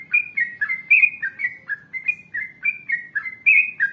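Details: Gacor yellow-vented bulbul delivering a long ropel-style ngalas panjang song meant to lure others into answering. An unbroken stream of quick, bubbly, slurred whistles, each rising or dipping, about three per second.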